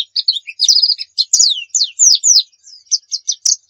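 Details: High twittering song of a lively Pacitan pleci dakun white-eye: quick chirps and a short trill followed by several clear downslurred whistles and spaced sharp notes.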